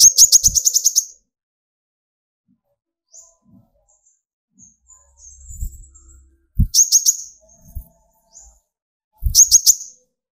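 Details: Sunbird song used to provoke other birds into singing, young and speckled to full metallic birds mentioned: three short bursts of rapid high, thin trilled notes, each about a second long, separated by quiet gaps with faint low thumps.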